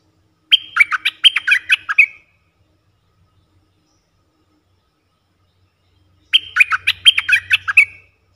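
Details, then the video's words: A wild red-eyed bulbul (merbah lekir) responds to a caged lure bird with two bubbly, chattering bursts of quick mid-pitched notes, each under two seconds, about six seconds apart, with quiet between. "Suara pikat merbah lekir"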